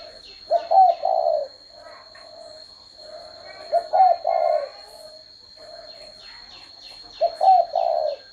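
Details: Spotted dove repeating its three-part coo three times, roughly every three seconds, with soft low murmuring between phrases and a steady high electronic tone.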